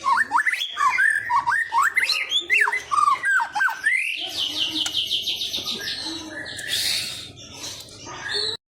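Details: White-rumped shama (murai batu) song used to stimulate a bird to sing: a string of quick looping whistled notes repeated about once a second, then a rapid rising buzzy trill and a burst of high rasping notes.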